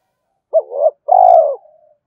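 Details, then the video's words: Spotted dove giving its urging lure coo: a short wobbling hoot, then a longer, smooth, slightly descending coo trailing into a soft tail. A faint click is heard mid-call. "tiếng cu gáy kích bổi nhanh nổi hiệu quả, tiếng thúc và gáy gọi"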